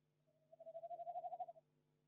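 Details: A Tawny Owl visits a nest box on 18 January 2021. It gives one short, wavering, trembling hoot lasting just over a second, over a quiet low hum.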